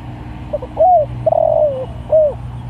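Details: Spotted dove calling other doves: two soft short notes, a clear slurred coo, a long wavering coo falling at the end, then a short final coo, over a steady low hum.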